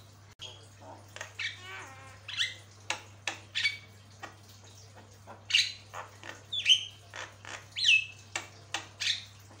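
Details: Javan myna (jalak kebo) from a lengthy training recording: spaced harsh squawks, a buzzy trill and clear upslurred whistles, roughly one burst a second, with a low hum underneath.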